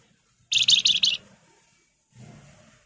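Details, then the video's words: Wergan jawa (Spotted Crocias) in active song: one short burst of quick, rattling high notes, about four pulses under a second, then quiet with a faint low rumble. "BURUNG WERGAN JAWA GACOR Nyiul, nyuling, Ngebren"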